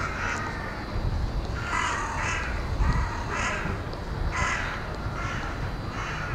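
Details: Carrion crows gathering to roost in a university woodland at Hull, evening of 20 February 2013, 17:44. About seven harsh, grating caws repeated at under one-second intervals above a steady low-pitched rumble.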